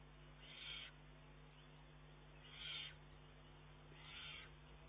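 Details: Eurasian eagle-owl chick, June 2011, pestering its mother for more food though able to eat alone. Three rough, hissing shrieks roughly every two seconds, the last softer, with a continuous low hum beneath.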